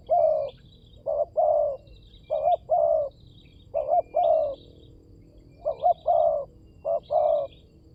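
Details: Spotted dove cooing played as a lure for wild doves. Repeated low paired notes, a short wavering coo and then a longer smooth one, in six phrases. Soft distant twittering of other birds.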